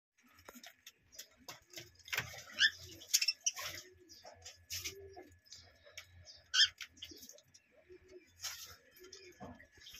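Budgerigars chatter in quick, scratchy chirps and clicks, irregular and bright in tone.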